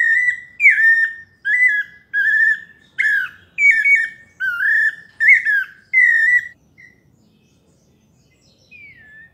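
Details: Melodious song of a pale-breasted thrush (sabiá parda paulista): eight loud, sweet whistled phrases with brief gaps, each slightly different, then the bird goes quiet apart from one soft falling whistle near the end.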